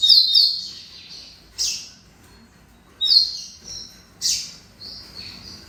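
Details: Double-collared seedeater of the tournament type giving short bright whistled song bursts, each opening with quick sharp notes and ending in a rasping sweep, repeated about every one and a half seconds.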